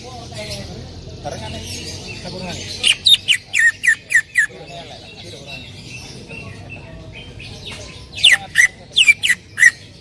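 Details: Greater green leafbird (cucak ijo) singing hard in full 'tembakan' style, recorded to train other birds. A murmuring stretch gives way to a series of loud clipped downslurred notes, a quieter lull, and then another burst.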